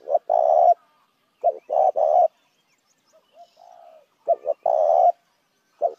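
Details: Spotted dove lure call. Three full phrases of paired short notes and a long, low, tremulous coo, separated by soft gentle coos; another phrase begins at the close.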